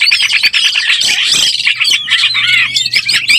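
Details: Oriental magpie-robin in breeding condition, a lure sound: a busy mix of bright whistles and buzzy chatter, nearly continuous, over a steady low hum.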